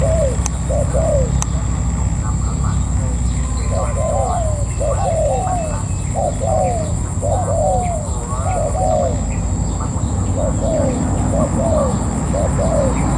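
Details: A wild-caught spotted dove serving as a ground decoy coos steadily, doubled mellow notes repeated roughly every second for the whole stretch, against low rumbling noise, a high steady whine and two early clicks.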